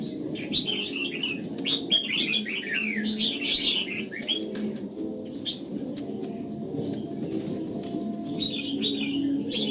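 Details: Red-whiskered bulbul morning song in the wild 'old forest double-note' style, played for voice training: a dense run of bright, overlapping warbled phrases, rising and falling, over a steady low hum.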